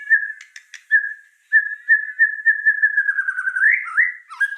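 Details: White-rumped shama in energetic song, mostly one long sustained whistled tone that wavers slightly, broken by a few short sharp clicks, and sliding upward into a brief warble near the end.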